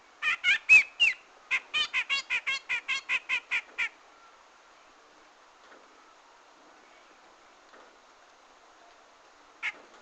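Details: Loud rasping grey-cheeked bulbul bursts, a dozen or so in rapid sequence with a brief whistled note early, then quiet with one last burst near the end. Recorded as a lure for trapping birds.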